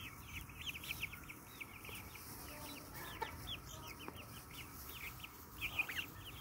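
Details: Pet Brahma breed hens and roosters: a run of short, high, hooked chirps repeating rapidly and overlapping, several birds calling at once, with a few louder peeps near the end over a low rumbling background.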